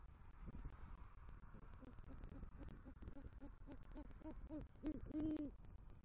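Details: Male great horned owl hooting at a nest tree in Southwest Florida at night, 3 November 2023, bringing rodent prey and calling for the female: a run of short soft low hoots, then longer deeper hoots near the end.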